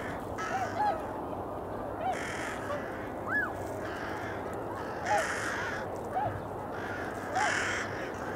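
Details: Eurasian coot around 8 in the morning in February: scattered short arched honks every second or two, one higher rising-falling note, mixed with brief broadband rustling bursts over low steady noise.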